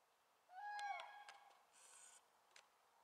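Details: Common cranes newly arrived at the Swędrnia floodplain in Rożdżały, Poland, on a foggy day in February 2017; a faint, rich, harmonic trumpeting note that swells and bends, with softer calls and hiss after it.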